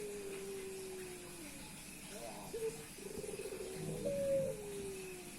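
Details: Male Puter Pelung dove meeting a female and cooing without pause to show off; long low hoarse coos with a rolling, throaty section and a brief higher note, repeated.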